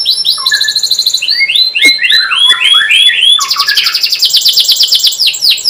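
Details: Canary song used as a training lure for young birds: falling slurred whistles in quick series, followed by a loud, rapid, buzzy trill rolling on to the end.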